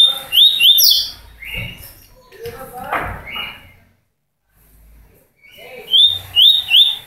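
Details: Song of a rusty-collared seedeater aged one year and six months: fast clusters of high, sweeping chirps, a pause, then another rapid burst, with some low handling noise.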